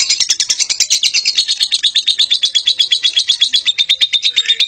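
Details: Lovebird chattering at length in ngekek style, harsh buzzy notes hammered out rapidly and evenly, around three a second, forming one continuous high-pitched rattle.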